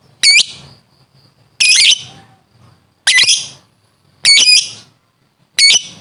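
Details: Lovebird giving five harsh, shrill squawking calls in separate bursts about one and a half seconds apart, each short, bright and strongly overtoned, with quiet gaps between.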